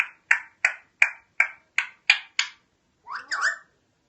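An Alexandrine parakeet gives seven harsh, raspy notes about three per second, then a short wavering, voice-like phrase.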